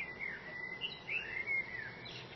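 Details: Common blackbird singing outside a window: a continuous run of mellow, fluting, sliding notes, slurred up and down, with faint background noise.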